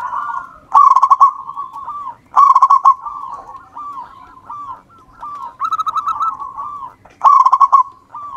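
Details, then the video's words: Local wild zebra dove singing actively, used as a lure for other birds. Loud trilled, rattling bursts come every two to three seconds. Softer rolling coos sit between them, all mid-pitched with a steady faint hum behind. "perkutut lokal alam. Gacor Ampuh buat pancingan"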